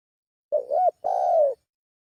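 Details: A single spotted dove lure phrase: a quick wobbling, rising hoot followed at once by a sustained, mellow coo that slowly falls away.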